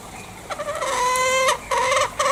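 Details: A green junglefowl from Bali gives one long, slightly falling, reedy note lasting about a second, followed by two shorter nasal notes.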